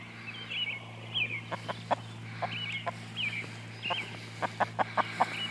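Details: Twenty-day-old chicks, a Partridge Cochin and Barred Rock mix, walking with their mother hen; high warbling peeps come in short bursts throughout, mixed with soft low clucks and scratchy ticks, over a steady low hum.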